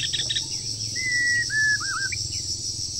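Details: A moulting wild bird sings vigorously in the breeding season: a few short buzzy notes, then a long level whistle and a wavering, looping whistled phrase, over a steady high insect-like hiss and a low hum.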